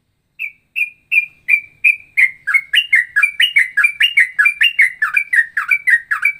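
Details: Ropelan song variation resembling straw-headed bulbul and sooty-headed bulbul: a long, accelerating series of short whistled chirps, starting slowly and spaced, then rapid and jumbled at almost three notes per second.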